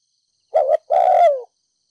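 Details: Spotted dove, a decoy bird from Ninh Thuận, giving a 'thúc gù' urging coo in the 'đồng pha thổ' voice style to stir up decoy doves: a short wavering double note, brief pause, then a long low coo sliding downward. No background noise.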